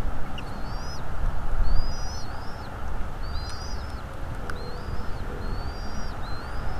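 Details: Bald eagle pair at their nest in north-east Florida, filmed by a nest camera on 2 February 2022 at 17:17. Thin, high, arched whistled notes come in a rapid repeating series over a steady low rumble.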